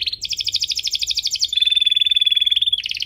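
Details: Canary song for teaching young canaries: rapid rolling trill, then a long steady pure whistle with rattling overtones, ending in another fast trill.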